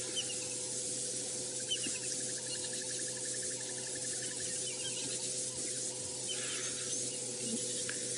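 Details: On a warm morning of 15 March 2018 at Djuma Game Reserve, during a game drive with lions, a Brown-hooded Kingfisher gives a rapid, even trill of high piping notes for about two and a half seconds in the background, behind a steady engine hum and hiss.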